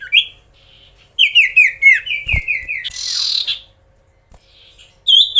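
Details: Magpie-robin in energetic song meant to provoke rival birds: a run of loud descending whistled notes around a steady pitch, then a harsh rasping burst, a short pause and a final high whistle.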